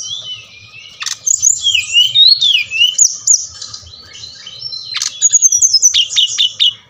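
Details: Brown-chested jungle flycatcher of the Bali type, played to rouse lazy captive birds into singing: varied high whistled phrases sliding up and down, with sharp clicks near one and five seconds, quick descending notes at the end, and a faint low hum.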